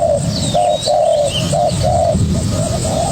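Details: Young spotted dove challenging a decoy bird, its short, low coo notes repeated steadily over a rumbling low background noise.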